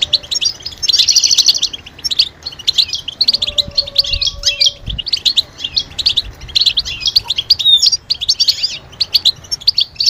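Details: European goldfinch mating calls used to stimulate males to sing: a buzzy trill at the start, then repeated bright twittering phrases and sharp chirps, with a faint low tone in the background.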